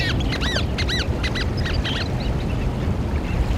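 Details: Eurasian oystercatcher giving loud, sharp, down-slurred piping notes in quick pairs and triplets for about two seconds, then a few fainter notes fading off, over a constant low rumbling background.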